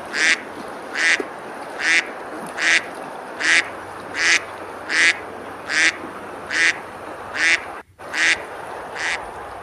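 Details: Ducks on the river at Besalú, a medieval village in Girona, Spain, quacking while eating and splashing in summer; a long, very regular run of about twelve raspy quacks, one every three-quarters of a second, with a brief gap near the end.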